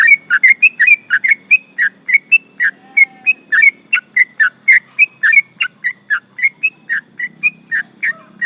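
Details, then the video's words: Sooty-headed bulbul singing a long, rapid 'ropel' sequence, used as a lure to provoke rival birds: fast, bubbly run of short chirpy whistles, about three per second, rising and falling. A faint low hum sits underneath. "trucukan gacor ropel panjang bikin emosi lawan"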